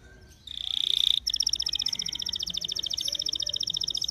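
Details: Singing canary as a lure for other canaries: a loud sustained buzzy note, then a long, very fast and even trill of pulsed, ringing notes that continues to the end.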